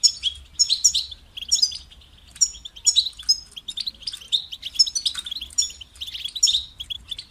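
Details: Twittering goldfinch song of sharp, high chirps and jangling trills arriving in clusters, then stopping briefly before the next phrase begins.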